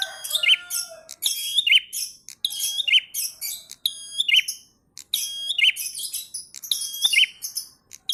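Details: Bar-winged prinia in energetic ngalun-style song, giving a rapid series of high, ringing, chattering bursts with sharp downslurred accents, repeated roughly every second with brief gaps between phrases.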